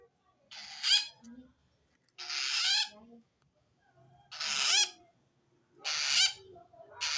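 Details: A long-tailed shrike's threat-signalling call, aimed at wild shrikes and said to mean it feels menaced by a rival: rasping, screechy bursts roughly 0.6 seconds each, five in quick succession with short gaps and soft low rustles.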